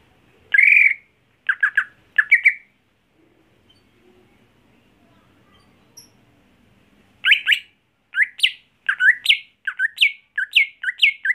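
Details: Caged greater green leafbird kept at home for songbird contests: a loud harsh note and two quick chattering bursts, a quiet pause, then a long rapid string of sharp rising and falling chirps repeated in quick succession.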